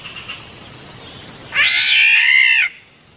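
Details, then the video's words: Morning near a rice field, a black-naped oriole (Kilyawan) gives one loud harsh, nasal, slightly wavering call of about a second, with a steady high insect hiss behind it. "Morning sounds of Kilyawan usually heard near our ricefield"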